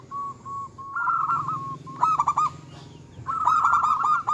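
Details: Zebra dove of the local Indonesian type in full song, aimed at agitating opponents: a few soft coos lead into a rolling, stuttered phrase, then a brief pause and another loud burst of rapid coos.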